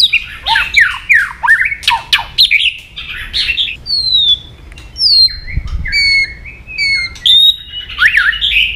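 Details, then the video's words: Provocative song of a white-rumped shama: jumbled swooping and chattering phrases, then clear high whistles sliding down, and a closing flourish of mixed notes. "AWAS MURAI BATU MU IKUT EMOSI"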